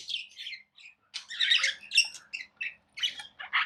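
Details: Tame budgerigars kept as pets chirp in short separate bursts: squeaky, scratchy twitters and quick warbled phrases broken by brief pauses, fairly clean with little other noise.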